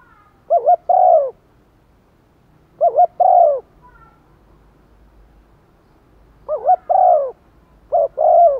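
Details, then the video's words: Decoy spotted dove giving urging and calling coos ('gáy thúc', 'gáy gọi một hậu') to entice wild doves. Four low phrases, each a trembling double note then a longer hoot, spaced irregularly. "chim cu mồi kích bổi nhanh nổi, bổi nghe rất xiêng gáy/ chim cu mồi gáy thúc và gáy gọi một hậu"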